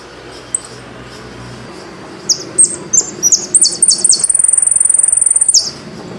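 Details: Saffron finch from Argentina: after a quiet start with one faint tweet, it sings a series of bright, high chirps building into a long, fast, metallic trill, ending with a downward note.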